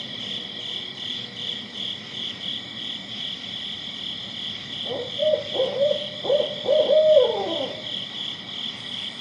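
Barred Owl giving a rhythmic run of about six deep hoots, ending in a drawn-out falling note, over steady insect trilling.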